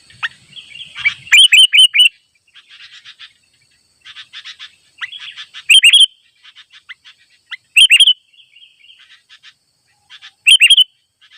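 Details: Wild sooty-headed bulbul, calling to rivals at a trap site, delivers short loud phrases of sweet, slurred chirps every two to three seconds, with quieter twittering between phrases in otherwise quiet surroundings.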